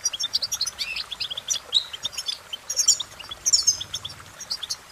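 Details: Cheerful European goldfinch singing, with rapid liquid twittering and bright chirped notes, some sliding upward, packed closely and broken by brief louder bursts near the end.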